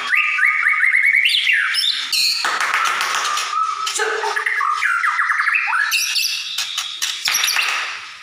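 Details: Captive white-rumped shama singing as a lure meant to provoke rival shamas into fighting and singing: varied, fast-changing phrases of whistles, trills and harsh rasping notes over about eight seconds.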